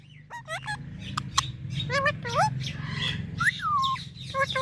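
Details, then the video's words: Green parrot mimicking talk with clipped nasal syllables, rising and falling whistled notes and short chirps, set against a steady low rumbling background noise. "Parrot Talking video| Green Parrots moments"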